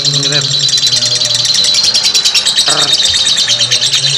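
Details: Lovebird delivering a long ngekek: fast, high, scratchy twittering without a break, with a brief sharp squeal late on and a low background drone.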